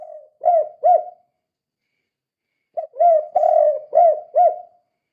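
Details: Spotted dove cooing in the kuk 2 style, a call used to lure or stir other doves into calling: two clipped coos, a quiet spell of about one and a half seconds, then a five-note phrase of soft, hollow notes.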